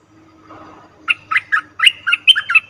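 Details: Lure call of a cream-vented bulbul used in trapping: after a soft rustle, a quick run of eight bubbly, slightly rising chirps with a liquid, chortling quality.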